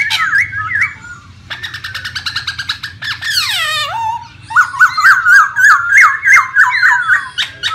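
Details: Wild masked laughingthrush song mixing quick buzzy chatter, a long falling harsh slur, then a rapid series of rolling whistled notes, loud and lively over faint low hum.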